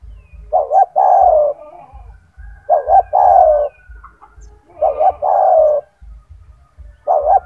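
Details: Spotted dove (tekukur), a loud, prolific 'gacor' kept bird with a big voice, singing as a tutor model for other doves: low coos, two quick notes then a long purring note, repeated four times about every two seconds.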